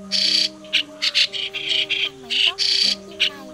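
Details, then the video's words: Migrating white-cheeked starling, played as a trapping lure: coarse, hissy call bursts, a few drawn out and others brief, alternating irregularly, with quiet steady tones and slight sliding sounds behind. "Tiếng Sáo Đá Di Cư - Sáo Đá Đầu Trắng Tiếng Chuẩn Hay Nhất 2020 ( Sáo Đá Mỏ Đỏ )"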